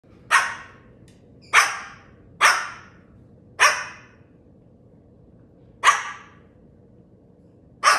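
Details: A female cockatoo gives six harsh, raspy squawks, each about half a second long, at uneven gaps over eight seconds, against a quiet indoor background.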